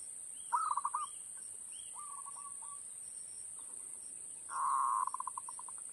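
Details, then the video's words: Zebra dove lure call for trapping, played from an MP3 player: several rapid, rolling coo phrases, a few higher thin notes early on, then a louder buzzy burst ending in fast pulses, over a constant electronic whine. "SUARA PIKAT PERKUTUT"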